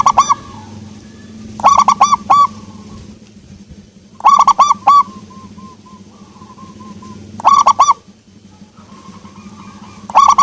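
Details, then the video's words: Local zebra dove with a soft voice sings four phrases of three or four quick arched coos, softer trailing notes between phrases, over a low background hum. "perkutut lokal suara empuk"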